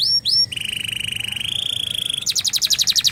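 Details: Domestic canary singing in flam-drag style: two upswept whistles, then a long steady buzzing roll held at one pitch and stepping slightly higher, closing with a rapid high trill.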